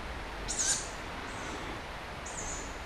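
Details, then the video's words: Late-night tawny owl chicks from a group crying out for food: one loud, hoarse, high hissing call, then a fainter second call after a short pause, over a steady background hiss. "Tawny Owl Chicks"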